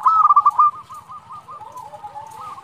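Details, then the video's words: Local zebra dove singing energetically, a song meant to provoke rival birds into answering and to lure others: a loud opening burst of six or seven rapid, clipped cooing notes, then softer stuttering coos from other doves behind. "Perkutut lokal gacor Suara ini sangat cepat bikin lawan nyaut"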